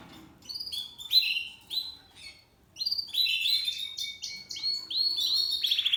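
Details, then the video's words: Seven-month-old male Spanish Timbrado canary singing discontinuo: separate bursts of liquid bubbling notes and slurred whistles, a short pause, then a run of repeated falling water-like phrases. "Spanish Timbrado Canary Twitter Timbrado_Canary,timbrado discontinuo تغريد كناري التمبرادو"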